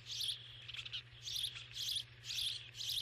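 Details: Rapid, wheezy chirps from a starling come in pulsing bursts about twice per second, each a shrill rasping cluster with short gaps between. A low hum continues beneath.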